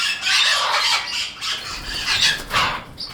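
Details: Amazon parrot youngsters calling loudly with coarse, grating squawks that swell and fade in overlapping bursts, around five in three seconds, some with a slightly rising edge.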